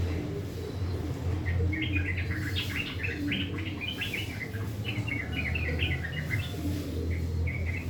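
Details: Morning song of a caged sooty-headed bulbul, a harsh chattering style; bursts of short bright chirps follow one another rapidly, against a constant low background rumble.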